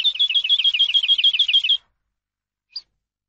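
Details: Eurasian skylark song for teaching birds: a fast, steady trill of looping high notes, about ten per second, for nearly two seconds, then one lone chirp after a silence.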